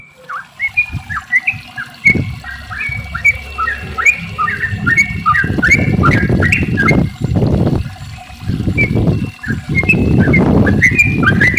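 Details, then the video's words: Yellow-vented bulbul singing a long string of short, bouncy whistled phrases, some rising and some dipping, meant as a lure to set other bulbuls singing; heavy low rumbling noise swells in the second half. "trucukan gacor ropel panjang buat pancingan trucuk agar bunyi"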